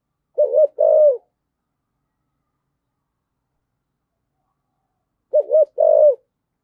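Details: Spotted dove cooing in the 'thổ sấm' voice, used for urging and calling in birds. A clean two-part phrase, a hooked coo then a longer level coo, given twice about five seconds apart in silence.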